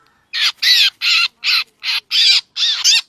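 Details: Black drongo call used to lure birds into traps: seven hoarse, rasping squawks of uneven length in three seconds. Some carry a thin whistled overtone, and there is a faint lower tone at the start.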